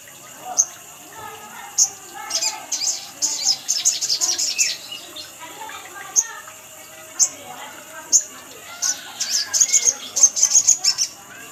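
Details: Sogon (little spiderhunter) lure recording: bursts of fast, dense high chittering between single sharp chips, ending in a rapid trill-like series of notes.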